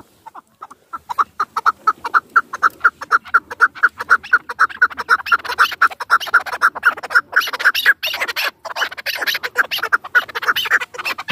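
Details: Chukar partridge of Dashti Jum, a hunting bird: a steady series of sharp chuk notes, about two per second, starting softly and growing louder and denser into a continuous rhythmic chatter.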